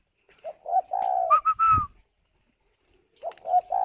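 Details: Caged spotted dove in Ba Vì, Hanoi, Vietnam, cooing while incubating. A low hollow coo runs into higher, clearer rising-falling notes, then a pause, then the low coo starts again.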